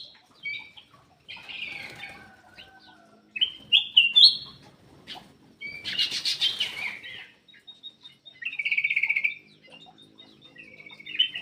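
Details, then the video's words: Black-crested bulbul in an aviary, used to prompt quiet birds to sing: bright chattering whistled phrases, with a loud burst of wing flutter midway and a sustained buzzy note near the end. "PANCINGAN BURUNG MALAS BUNYI CUCAK EMAS \ KUTILANG EMAS GACOR"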